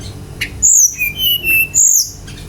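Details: Song of a Brown-chested jungle flycatcher used to coax other birds into song: a high whistle sliding down, then two long level whistles at lower pitch, and another high falling whistle.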